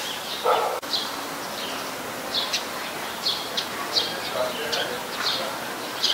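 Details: Eurasian tree sparrows in Ubon Ratchathani, Thailand, on 10 May 2020 give short, bright chirps at irregular intervals, about one or two a second. A lower, brief yelp and a sharp click come early on.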